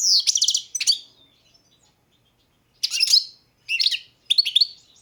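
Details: Song of a European goldfinch, Balkan subspecies balcanica: a quick liquid twittering burst, a long silent pause, then three short bright twittering phrases in close succession.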